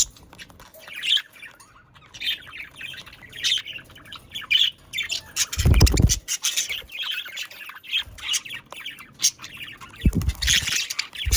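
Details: A long stretch of lively pet budgerigar chatter, steady squeaky warbling and squawks, broken twice by heavy low thuds. Meant to spur pet budgerigars into song.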